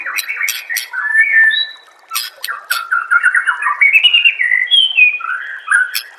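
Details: White-rumped shama (murai batu) song used as masteran training audio: a varied run of clear whistled phrases, rising and falling, broken by sharp high clicks and a short pause midway.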